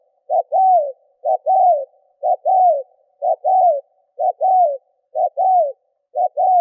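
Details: Spotted dove used as a lure bird, cooing to draw in wild doves: a steady series of soft two-part phrases, a clipped note then a drawn-out descending coo, about once per second.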